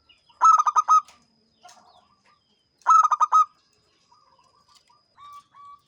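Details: Champion local zebra dove singing in the ngancing style: two cooing phrases, each of about five quick mid-pitched notes ending on a longer held note, roughly two and a half seconds apart, with soft faint coos between.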